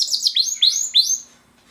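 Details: Pet male Border canary singing: a quick run of high, sweeping notes, each sliding down and then rising again, in three or four linked phrases that fade out after about a second.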